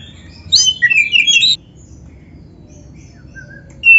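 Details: Oriental magpie-robin training song: one brief, dense burst of high, twisting chirps lasting about a second, followed by quiet with a faint distant whistle and a final short high note.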